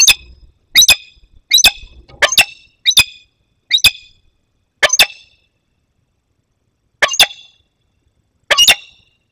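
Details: Peregrine falcon in the Barycz Valley, Poland, on 15 August 2021, as a young bird flies in to meet an adult. Sharp, harsh paired notes repeat at irregular intervals, about once a second, then spread out with longer pauses.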